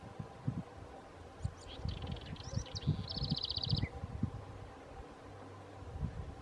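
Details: House wren (chercan) singing at Lago Sofia, Magallanes, Chile: a few high scratchy notes leading into a rapid even trill, closing with a short downward note, over low rustling and thumping noise.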